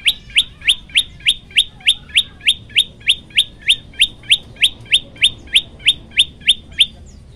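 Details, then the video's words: Vigorous master-recording song of a tailorbird, locally prenjak lumut: over twenty bright, upward-flicking chirps in a steady run of about three per second, ending abruptly near the close. "masteran handal prenjak lumut gacor variasi"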